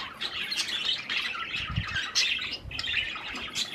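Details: Pet budgerigars eating cherry tomatoes; overlapping chirps and rasping squawks in steady chatter, with a few low thumps or movement noises.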